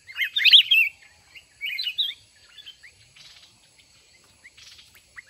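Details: Wild red-whiskered bulbul being trapped through a fighting contest with a caged decoy. Two loud warbled phrases open, then fainter scattered chirps with soft rustling noise.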